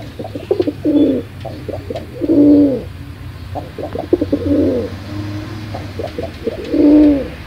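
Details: Domestic pigeon cooing: several rounds, each a quick stutter of short low notes followed by a longer swelling, rolling coo, repeated roughly every two seconds, with a low steady hum underneath.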